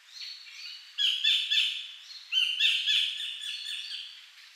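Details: Collared kingfisher in the wild at Bung Boraphet, Thailand, 2011, giving two bursts of rapid, harsh chattering notes, each burst of about four strident calls, the second run trailing off into softer repeats.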